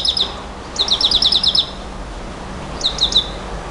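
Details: Nightingale song in the 'bouh gnaoui goubaa' style: short bursts of crisp, high repeated notes, a brief opening pair, then a fast eight-note rattle and a later three-note phrase, with soft background hiss.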